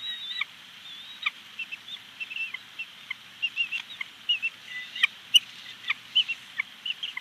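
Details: Female bald eagle calling at a Big Bear Lake nest, 25 April 2019, after her mate delivers something unseen. Steady series of high, thin chittering chirps and brief squeaky whistles, with a few sharp clicks.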